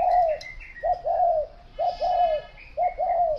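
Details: Clear spotted dove cooing: three phrases of a brief note and a longer, warbled, falling coo, evenly spaced, with faint chirps from other birds behind.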